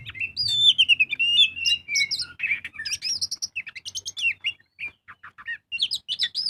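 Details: Oriental magpie-robin delivering loud 'full ngobra' lure song: sliding whistled phrases give way to quick trills and short chips, about three notes a second, with a soft low rumble at the start.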